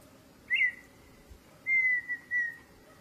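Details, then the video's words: Wild partridge singing in open country: a short high whistle, then after a pause a long, steady, clear whistled note that slurs slightly downward, with a brief final whistle. Low background rumble throughout. "PERDIZ SELVAGEM CANTANDO"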